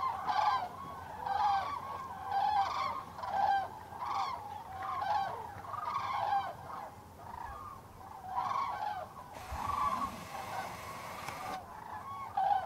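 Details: Common cranes at the Tablas de Daimiel wetland in November 2012, a flock giving loud trumpeting calls, bursts of overlapping rolling notes about once a second, with a brief patch of wind or handling noise near the end.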